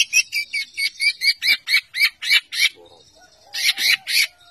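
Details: White-rumped shama repeating a loud, harsh, chattering note about four times a second, then a brief pause with soft low tones before three more of the same notes.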